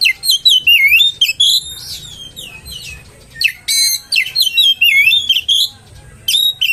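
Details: Oriental magpie-robin singing a provoking lure song meant to make rival magpie-robins angry; loud varied whistles, swooping slurred notes and scratchy bursts in quick irregular phrases with short gaps.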